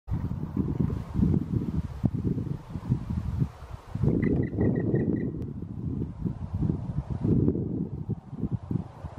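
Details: Black woodpecker singing in woodland in late summer, Southern Ostrobothnia, Finland: a quick series of about seven ringing, evenly spaced notes over a second, half-buried under strong gusting wind.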